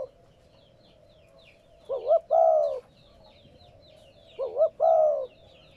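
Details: Cooing of a spotted dove, meant to stimulate newly caught captive doves to coo. Two phrases, each a rolling double note leading into a longer, descending, throaty coo, with light high twittering in the background.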